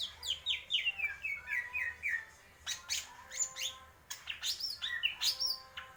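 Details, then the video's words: Greater green leafbird pouring out loud song: a cascade of downslurred whistles repeated several times, then sharp clicks and bright, varied high notes in rapid succession. "cucak ijo"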